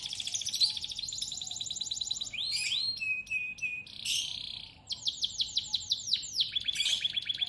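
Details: Canary song, loud and nonstop: dense buzzy trills and rapid rattles switch between phrases, with a brief gliding whistle, then end in rhythmic repeated sharp notes.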